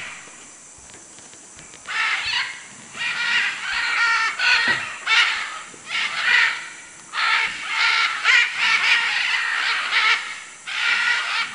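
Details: After about two quiet seconds, macaws in Manu, Peru break into a dense series of grating squawks, nearly one per second, overlapping and uneven in rhythm.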